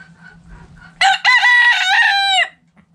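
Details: Backyard rooster crowing while the flock plays in the dirt. One loud, drawn-out crow lasting about one and a half seconds. It opens with a short note, holds steady, then drops at the end. Soft clucking comes before it.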